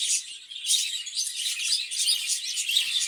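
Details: Caged breeding budgerigars chatter together, a steady wash of high, scratchy warbling notes and short squeaks rising and falling.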